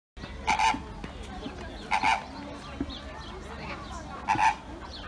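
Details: Captive flamingos at Auckland Zoo: three loud nasal honks, each about a quarter second with a steady buzzy tone, spaced about two seconds apart, over a constant background murmur with some softer calls between.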